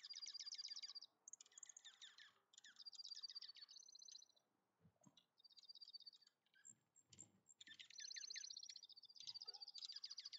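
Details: Several juncos feasting at a feeder in Ontario during a good snowfall twitter in high, sharp chips and tinkling trills that overlap in quick bursts, with a few soft thumps and flutters between them.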